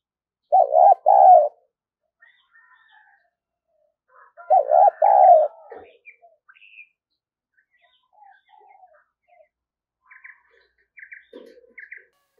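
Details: Caged decoy spotted dove cooing to lure wild doves, also used to train other decoys: two short, low, throaty coo phrases about four seconds apart, then faint scattered chirps from other small birds.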